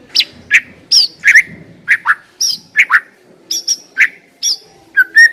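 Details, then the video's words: Lure recording of white-rumped shama singing to prompt a bird into song: a rapid series of sharp, separate whistled notes and chips, some high and piercing, others lower and slurred, spaced under a second apart. "Pancingan suara burung murai batu agar cepat bunyi dan ngeplong"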